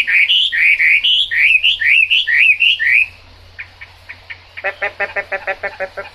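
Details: Chinese hwamei in the rain, singing loud rising slurred whistles about twice a second for three seconds, then after a short hush a string of quicker, lower, clipped notes.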